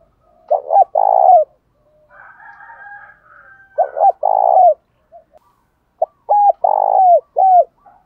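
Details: Spotted dove giving a provoking call used to stir rival males to fight: three bursts of low, hoarse coos, each starting with short clipped notes and ending in a longer rolling coo, with faint higher cooing between.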